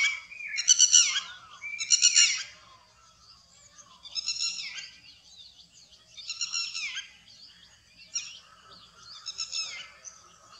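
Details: Indochinese or Burmese roller giving loud, harsh, rasping bursts of calls, some doubled, roughly every two seconds over a quiet background with faint high chirps between the bursts.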